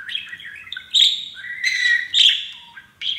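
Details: Young pet male parakeet standing on his new playground, talking when happy and repeating taught English phrases; rapid chirpy chatter of scratchy, buzzy syllables and short whistles in quick uneven bursts.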